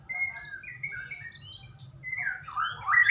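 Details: Singing of a white-rumped shama, used to coax a bird into song: level sustained whistles at first, then a rapid rising, twisting flourish of notes at the close. A soft background hum is present.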